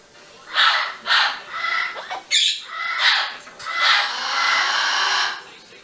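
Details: Severe macaw, 22 years old, on its first day at a sanctuary, 6 September 2015: harsh, raspy broadband squawks, a pair of quick blasts then longer drawn-out screeches, with a short pause between, indoors with faint background voices.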